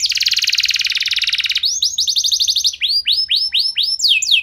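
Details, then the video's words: Lure song of a canary in the sharp 'nembak' style, aimed at getting other canaries singing: a rapid rattling trill for about one and a half seconds, followed by slower, arching down-swept whistles. "Kenari Anda Bisa Gacor Seketika Dengar Pancingan Kenari Nembak Joss Ini"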